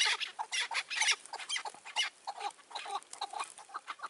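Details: Chukar partridge in May 2024 during trapping with a caged decoy: loud harsh notes at the start, then a looser series of softer, irregular chuk calls.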